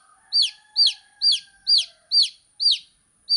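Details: Baby chick chirping with evenly spaced, loud, high notes that arch then fall, about two per second, six in a row over a faint low tone.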